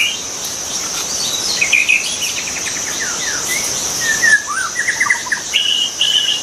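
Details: White-rumped shama song in the wild: after a quiet start, rapid rattling notes and then clear whistled slurs and trills, set against a persistent shrill insect drone.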